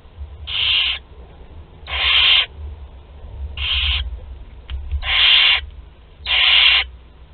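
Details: Five broad hissing screeches from barn owl chicks of two to twelve days during a group feed, Théding, France, April 29, 2021, each about half a second, spaced over a steady low hum.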